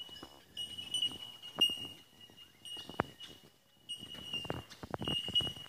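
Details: Bell miners near Brisbane, Australia, at D'Aguilar National Park: several birds produce a sustained, metallic, bell-like tinkling on one high note in pulses, pausing briefly near the middle, with light knocks and rustling in the background.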